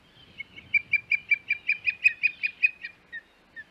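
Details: Osprey calling from its Hog Island nest, 21 May 2021: a fast string of about fifteen shrill, slightly descending whistled chirps, roughly six per second, ending with two softer separate notes.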